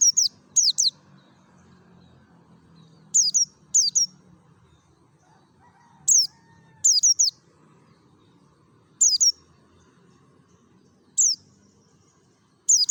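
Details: Lure song of a wild-style 'ngalas' mountain white-eye from Merapi: high, sharply dropping chirps in pairs and short trills, repeated roughly every one to two seconds across the stretch, over faint low background hum.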